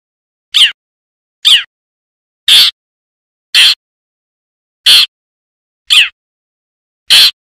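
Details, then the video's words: A wild long-tailed shrike, used as a lure call, gives seven short, harsh, rasping notes about once a second, with near silence between them. "Suara Asli Cendet Alam,Suara Pikat Burung Cendet Terbaik"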